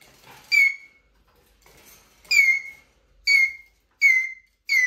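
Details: Eurasian jay squeaking plaintively indoors, a clear falling whistled squeak with bright overtones, given in bursts about a second apart with short pauses, quiet room otherwise.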